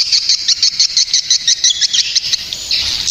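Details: Swiftlet calling sound meant to attract birds in the rainy season: high twittering chirps repeated quickly and fairly evenly, nearly three per second, over a faint low hum.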